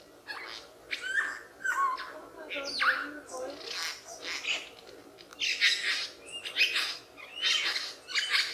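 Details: Superb lyrebird from Australian forests, a mimic of many sounds, giving a busy mix of squawks, short whistled slurs and harsh chattering bursts, with a low hum underneath.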